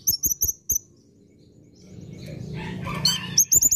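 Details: Masteran recording of an olive-backed sunbird for training cage birds: a few very high, clipped chirps, a noisy rustling passage, then another fast burst of shrill squeaky notes.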